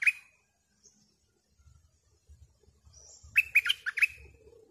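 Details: Bulbul decoy giving one sharp whistle, then after a pause a rapid run of five slurred, downward-sliding notes, with soft low thumps in the background.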